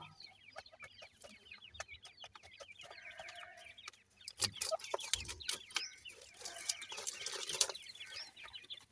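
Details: Chorus of grey francolin chicks: rapid, overlapping high-pitched peeps, joined midway by loud scratching and clattering noises that nearly swamp the cheeping.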